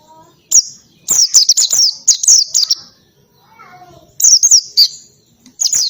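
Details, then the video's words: Oriental white-eye delivering a loud ngalas song mixed with canary-like phrases: bursts of rapid, high, wavering whistles, a pause with faint low twittering, then another fast volley. "PLECI NGALAS,TEMBAKAN KENARI SUPER RIBUT"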